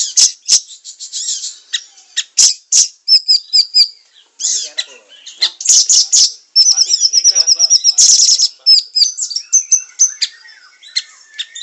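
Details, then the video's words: Siri-siri song used as a training recording for songbirds: sharp high chirps in quick bursts, then a fast even rattling trill of rapid notes near the end, with scattered twittering afterwards. "Masteran siri siri gacor 100 % nyamber"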